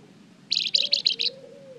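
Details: Flamboyan bird giving lure song to draw replies from other birds: five quick, high, buzzy chip notes in about three quarters of a second, with a faint low hum beneath.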